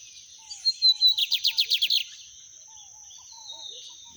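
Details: Lined seedeater singing in nature, a song of the torneado style: a short whistle, then a quick run of about nine sharp, high repeated notes lasting over a second, over a steady high insect hum and faint low whistles.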